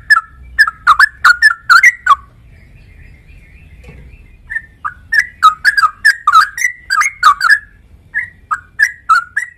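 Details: Yellow-vented bulbul singing bubbly whistled phrases: a quick burst of liquid, warbling notes, a short quiet gap with a faint thin whistle, then another rapid run of rising and falling chirpy notes over soft low background hum.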